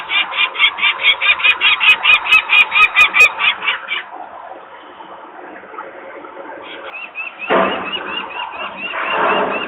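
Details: Alarmed adult peregrine falcons near their nest in Włocławek, Poland, 23 May 2022, early afternoon, as employees work noisily close by and the young females wait on the landing. A fast, even series of grating kak notes pauses, then resumes amid rumbling noise.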